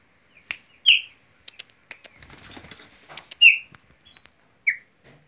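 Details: Chopi blackbird on its owner's hand in Mogi das Cruzes, São Paulo, Brazil, giving sharp clicks and a few loud, brief down-slurred whistled notes spaced about a second apart, with soft rustling between.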